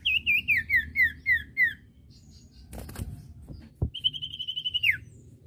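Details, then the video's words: Common iora song used as a tutoring recording for untrained birds: a run of slurred, wavering whistled notes sliding downward, then a long steady high whistle that drops sharply at its end, with a few clicks and knocks between. "masteran burung cipoh bahan II masteran cipoh sirtu bahan"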